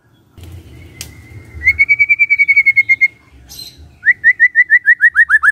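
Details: White-rumped shama in morning song meant to set off silent birds: a fast trill of evenly spaced whistled notes, a pause, then a second rapid series of downward-slurred notes, over a low background hum.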